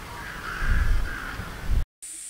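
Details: A Daurian Jackdaw, a farmland and grassland bird in Japan, gives a brief, nasal, slightly drawn-out call over a heavy low rumble, followed by a short gap and a faint high hiss.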